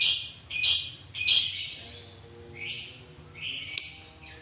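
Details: Lovebird in long 'ngekek' chattering, meant to stir other lovebirds to sound off: rasping, high, squeaky bursts in uneven runs of about half a second, broken by thin sharp chips.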